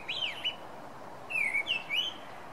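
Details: Song Thrush singing at night: short clear whistled phrases, the first swooping up then down, a pause, then a longer run of slurred falling and rising notes, over a faint steady hiss.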